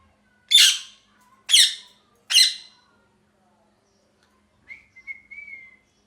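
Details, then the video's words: Parrot giving three harsh, raspy squawks about a second apart, followed by a soft, thin whistled note that wavers slightly near the end; quiet background otherwise. "Parrot Chirping Sounds | Natural Parrot Sounds | Parrot Calling Sounds"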